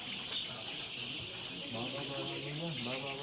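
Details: Chicks reared in a farm in Kurunegala, Sri Lanka; a dense chorus of quick repeated chirps and low clucks under a persistent broadband hum from the shed.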